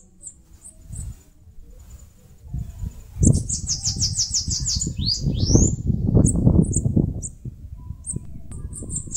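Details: Scattered single high chips, then a quick trilling series of thin notes and rising squeaky slurs from a Bananaquit nest-building in a mandacaru in Brazil's Nordeste; loud low rumble underneath.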